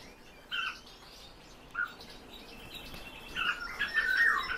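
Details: A few separate purring notes from captive European bee-eaters, then a quicker cluster of overlapping trilled calls building in the last second, against soft background noise.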